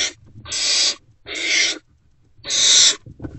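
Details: Great horned owl owlets in Owl Box C, still unfed before dawn on 3/3/24, reacting to an adult's return to the nest: three harsh, noisy hissing bursts, each about half a second, separated by short silences.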